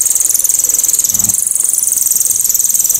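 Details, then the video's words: Loud, sharp and clear cililin 'tembakan' for tutoring songbirds: a sustained, very high-pitched buzzing trill of rapid even pulses running unbroken for about three seconds. "TEMBAKAN ‼️BURUNG CILILIN‼️ SEPERTI KESELEK SANDAL😂KERAS TAJAM DAN JERNIH"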